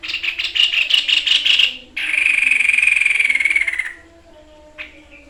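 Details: Caged White-chested Babbler singing in full "tembakan" (shooting) style for song training: a quick series of pulsed buzzy notes, then a long fast rattling trill of about two seconds that falls slightly at the end, followed by a short note.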